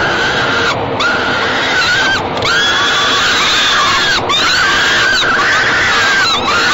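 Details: Falcon nestlings in a nest box at Great Spirit Bluff during an evening feeding, 28 May 2013; repeated rasping, harmonic screams, each sliding down at its start, separated by short gaps over steady hiss.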